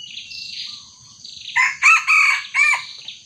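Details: Red junglefowl crow, recorded while a small decoy junglefowl confronts a young wild bird: four loud, hoarse bursts in quick succession after faint high chirps of other birds.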